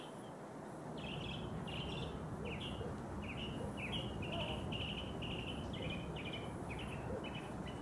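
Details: Mockingbird singing early in the morning from a neighbor's tree about 50 yards away: a fast run of short repeated chirpy phrases, each a quick burst of bright notes, changing phrase types, over steady low background rumble.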